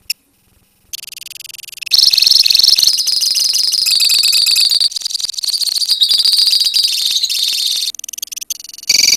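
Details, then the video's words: Lovebirds kept as a colony, singing the long 'ngekek' chatter. After nearly two seconds of near quiet, a loud, sustained, buzzy high trill begins and pours on, with one short dip around the eighth second before it resumes. "KICAU LOVEBIRD KOLONI INI TERBUKTI HANYA BUTUH WAKTU 4 MENIT SAJA LANGSUNG NGEKEK"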